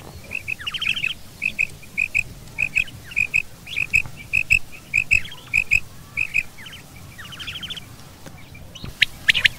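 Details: Quail of both sexes calling in a mix: steady rapid double high notes with occasional raspy falling rattles, ending in a few louder bursts of noise.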